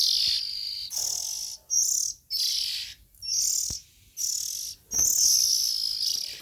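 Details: Young Oriental magpie-robin nestlings calling: a series of about seven harsh, hissing, raspy bursts, each roughly half a second long and separated by short silences, high-pitched and noisy without clear whistles.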